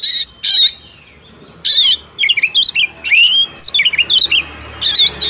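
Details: Oriental magpie-robin, a female calling a male to spur rival males; harsh rasping bursts open and close a lively stretch of swooping, twisting whistles and chirps.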